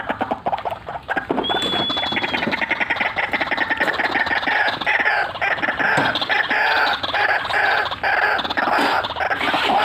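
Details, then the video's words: White-breasted waterhen calling at full intensity in a cackling, rolling style: a dense, unbroken stream of harsh croaking notes, with one brief high whistle early on. "RUAK RUAK GACORAN FULL NGEKEK NGEROLLL"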